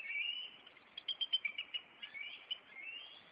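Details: Maine bald eagles of a nesting pair on April 26, reacting as the male chases an intruder. There is a rapid chattering run of short, high chirps between thin whistled slurs.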